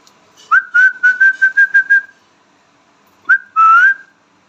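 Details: Indian ringneck parrot talking at home: a rapid run of about seven short whistled syllables at a steady pitch, like chattered words, then a gap and a rising note leading into a long, slightly rising tone.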